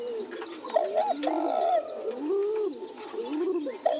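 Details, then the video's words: Spotted doves calling by newly bloomed roses, a drawn-out mellow coo in the middle framed by shorter curved notes, other doves overlapping at lower pitch. "Nghe tiếng chim cu gáy hót cực hay"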